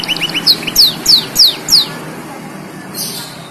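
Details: Black-throated canary song meant as a master recording for young canaries, blackthroats and yellow-fronted canaries: quick lower chirps, then five loud, evenly spaced high downslurred whistles, fading to a faint hiss.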